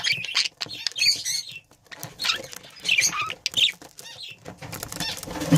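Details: Two breeding budgerigars chattering in short bursts of scratchy, squeaky notes and twittering fragments, separated by brief gaps, with faint low rustling.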